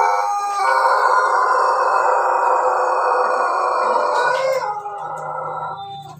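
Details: Pelung rooster recorded 17 May 2024 producing a long, steady, ringing crow held for over four seconds with little change in pitch, ending in a wavering fade; a low hum continues underneath.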